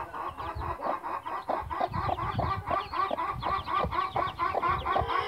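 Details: Mother hen, blue-feathered, with chicks; dense rhythmic clucking around two per second, overlapping chick cheeps rising at the end.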